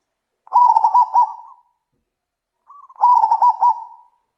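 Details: Loud zebra dove call: two quick rattling phrases of short coos, each trailing off, separated by about two seconds of silence.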